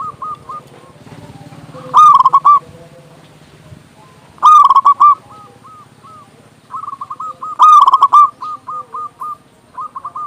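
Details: Local zebra dove with a strong voice, played to rouse quiet doves into song: three loud bursts of fast, bubbling coos, each followed by softer, spaced coo notes, over a low steady hum and fainter doves in the background.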